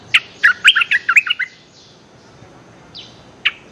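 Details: Streak-eared bulbul calling a mate, a fast burst of chattering, bubbly chirps lasting over a second, then a pause, a soft downward slur and two isolated sharp chirps.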